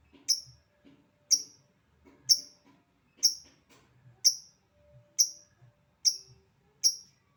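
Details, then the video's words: Single caged-style lovebird ticking in 'ngetik' fashion, eight sharp high clicks about one per second, steady and evenly spaced, with soft low background hum. "Burung Lovebird Memanggil Di sertai Ngekek, Di Awali ngetik lanjut ngekek"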